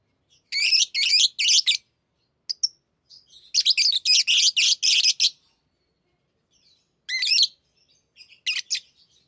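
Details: Tame pet lovebirds chattering while playing with rings: bursts of harsh, high chirps in rapid clusters, a run near the start and a longer stretch in the middle, with quieter gaps between.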